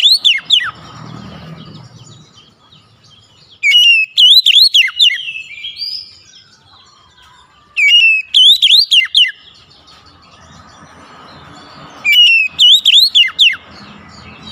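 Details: Oriental magpie-robin song for luring a reluctant bird to sing: loud bursts of rapid zigzag whistles repeated about every four seconds, each burst lasting around two seconds, separated by near-silence.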